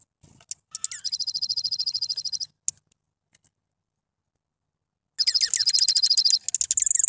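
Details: Gray-headed form of dark-eyed junco giving a high, rapid, dry trill of even notes about a second and a half long, repeated after a pause, with a few faint chips between.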